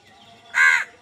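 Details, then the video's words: One short, rasping caw from a crow squabbling over food, clean against a quiet background. "কাকের ডাক Crow Sound Crow ki Awaz Loudly | Crow bird Fight for Food"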